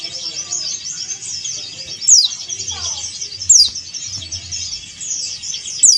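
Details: Male white-eye of the dakun Bali type calling against a rival, with three piercing falling notes about every one and a half seconds, amid steady high twittering and some low murmuring.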